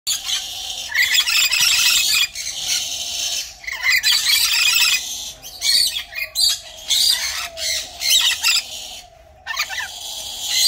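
Rainbow lorikeets give harsh, grating screeches and rapid chattering squawks in repeated bursts, high and noisy, with several birds calling over one another.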